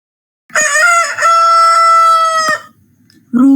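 A rooster gives one loud, drawn-out crow, rising briefly and then holding a steady, strained note for about two seconds; a voice starts just after.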